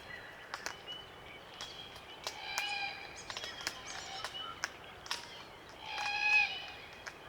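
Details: Glossy Black Cockatoos in a small flock feeding on Allocasuarina cones, Macleay River valley, NSW, Australia; scattered sharp clicks from feeding and occasional soft creaking, grating calls, one louder burst near the end.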